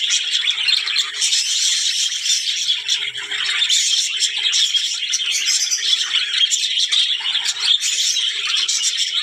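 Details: Budgerigars, described as talking, fill the room with a dense, unbroken warble of high chirps, buzzy trills and squeaks layered over one another, with no pauses.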